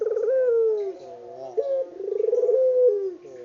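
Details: Spotted dove of a native strain, recorded unedited, calling in mellow low coos: a burbling start, a held tone curving downward, then a second phrase of the same shape.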